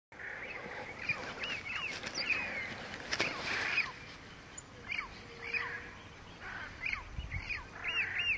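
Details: Southern screamer with a juvenile at Porto Jofre in the Pantanal, Brazil, recorded on 25 September 2013; series of short arched, nasal upslurred calls, some clustered, over steady insect whine and a few clicks.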